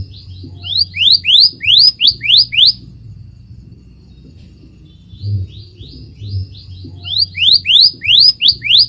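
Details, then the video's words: A Scarlet Minivet (Pericrocotus flammeus) sings in quick bursts of thin, rising whistles, about three a second, with pauses between bursts over a faint low rumble. "Tiếng chim Hồng tước hót"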